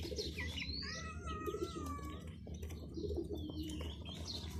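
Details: Chicken chicks chirping with thin, high, drawn-out peeps, several sliding downward and some held as long flat whistles, overlapping one another above a steady low hum.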